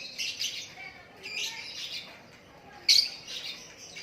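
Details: White-rumped shama in natural song: spaced bursts of high chirps, then a loud sharp whistled note near the end.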